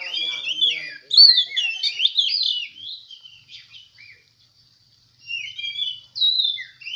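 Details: Oriental magpie-robin singing at a songbird contest in Semende Perapau: varied clear whistled phrases, bright and slurred, rising and falling in short bursts with a silent pause before the final notes.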